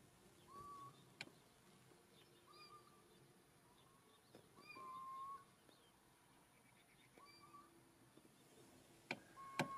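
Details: Little owl calling near Castelo Branco, Portugal: faint, short mewing whistles, level then slightly rising, repeated every one to two seconds over quiet hiss, with a few sharp clicks and knocks near the end.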